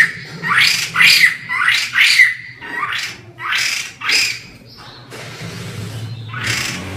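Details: White-crested laughingthrush calling actively: harsh, rasping notes in short groups of two or three, a brief pause, then another scratchy burst, with a steady low hum underneath.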